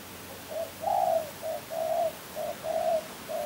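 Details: Tekukur, the spotted dove, giving a phrase of mellow low coos, a short note, a long drawn coo, then paired short and long coos repeated over a few seconds against a quiet background.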